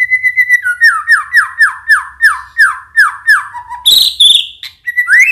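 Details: White-rumped shama, used as a provoking lure song, gives a rhythmic string of about ten descending slurred whistles, roughly three per second, broken by a loud harsh burst and a final rising note.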